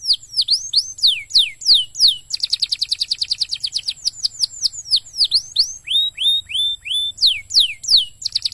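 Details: Canary song used to stimulate other canaries to sing: high, rapid, sweeping notes falling in pitch, a fast trilled roll of repeated notes, then slower descending sweeps, continuous and bright.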